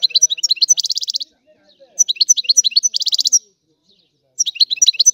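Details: Three bursts of European goldfinch song separated by short pauses, each mixing sharp chirps with a rapid buzzy trill.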